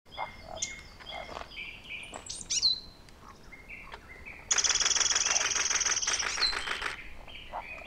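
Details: Eurasian wren at the Ōbora spring, Lake Yamanaka, Japan, recorded 21 April 2019: scattered high thin chirps and squeaks, then a loud, rapid buzzing trill of fast repeated notes lasting about two and a half seconds, with soft background hiss.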